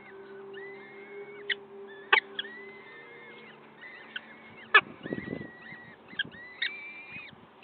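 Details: Peregrine falcon at the nest, Wakefield, 5 May 2021 at 06:55: repeated arched, whining calls rising then holding, punctuated by loud sharp clicks, with a low hum and brief rustling.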